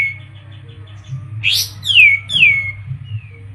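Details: Olive-winged Bulbul (kapas tembak) from Medan in full song: a thin steady whistle, then a sharp upward sweep and two loud falling whistled slurs about half a second apart, with a faint low hum beneath.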